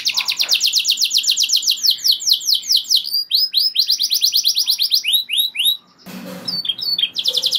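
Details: Canary in full song meant to spur other canaries to sing, delivering long rapid rolls of downward-slurred notes, shifting into slower arched syllables, a brief pause with a soft noisy burst, then the trill resumes.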